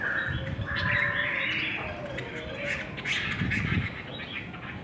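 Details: Hwamei competing in a singing contest, delivering a strong buzzy whistled run at the start, then scattered chirps and fainter phrases, with low rumbling noise underneath.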